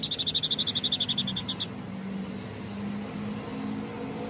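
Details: White-breasted babbler delivering a rapid series of about sixteen high, evenly spaced chips that slow slightly as they fade, followed by a low background drone.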